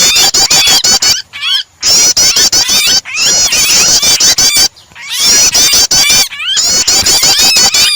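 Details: Distressed-bird and prinia starter combination for stimulating birds to sing: repeated loud bursts of rapid, high, metallic chirps and snapping clicks, several short silences between phrases.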